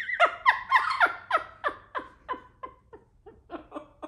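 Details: A pet Amazon parrot, taught to talk, imitates laughter indoors with about fourteen hoarse 'ha' bursts at about four per second that fade and slow toward the end; the owner calls it an evil laugh. Faint room noise is heard.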